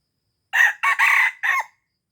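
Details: Red junglefowl, Aceh, crowing to attract wild junglefowl; one clear rasping crow of four notes, the middle note drawn out and the last note short with a slight upward tail.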